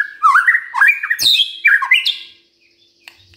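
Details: Brief lively burst of white-rumped shama morning song aimed at provoking others: chattering warbles and rising whistled notes for two seconds, then near silence.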